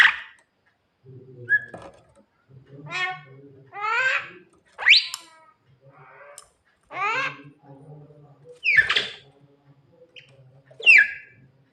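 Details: Javan myna singing at night, said to be calling its mate: a varied series of harsh rising chattery notes, buzzy downslurred phrases and short whistles, spaced about a second apart, over a faint low hum.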